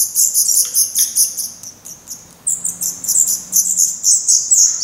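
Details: Nestling black redstarts begging in their nest in Portugal in mid-May 2020, chicks with open eyes and reddening tails. Dense shrill high chirping, about four notes a second, in rising and falling waves from several young.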